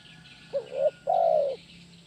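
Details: Spotted dove singing kuk 1 style for bird training: one phrase made of a short rising note, a bending coo and a long, smooth, slowly descending coo over a faint steady hiss.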